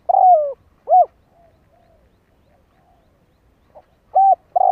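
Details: Decoy spotted dove cooing to lure wild doves: deep, mellow coo notes, a short one and a longer falling one, then a quiet pause and two more hollow coos at the end; no other sounds.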